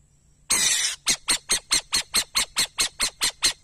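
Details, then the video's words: Harsh, noisy owl screech lasting half a second, then a quick sequence of a dozen short wheezing, raspy notes at a brisk, even pace, with little else audible. "som de coruja"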